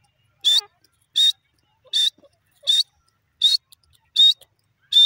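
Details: Teetar, the grey francolin, in a hunting-call recording: a repeated series of piercing, rasping notes at a regular pace of a little over one per second, with a few soft, short squeaks between them.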